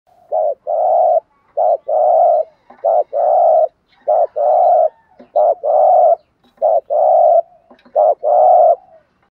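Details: Spotted doves, male and female, cooing in the 'gù' and 'thúc' styles, used to stimulate wild doves: low, mellow phrases, each a short hooting note then a longer buzzy coo, repeated steadily about every second and a half against a silent background.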